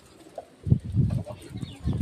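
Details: Domestic white pigeon kept by a keeper, parents tending and feeding a single newly hatched chick; soft, low rumbling coo pulses begin after a half-second pause and repeat unevenly, with faint handling noise between them.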